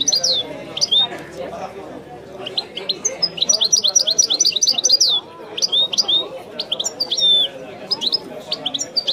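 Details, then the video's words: European goldfinch, caged, singing in the traditional widani style: a dense, fast stream of high twittering, buzzy and whistled notes, with brief pauses and rapid trilled bursts throughout, over a low background murmur. "chant de chardonneret تغريد الويداني الأصيل"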